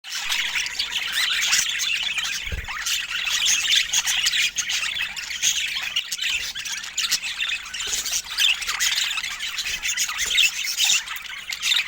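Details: Pet budgerigars chattering continuously in a dense stream of squawks, chirps and warbles, busy throughout with no real pauses, plus a single low thump partway through.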